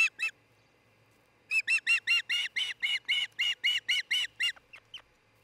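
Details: Early morning on 26 June 2018 at a Charlo, Montana osprey nest camera, a nest-building pair present: two quick notes, a pause, then a steady string of about a dozen loud, ringing calls ending in thin squeaks.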